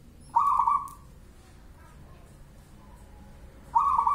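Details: Local wild-type zebra dove (perkutut) singing in the style called bedah karang nabuh kentongan: two rapid, trilled, burbling coo phrases about three seconds apart, the first lasting over half a second, over quiet background noise.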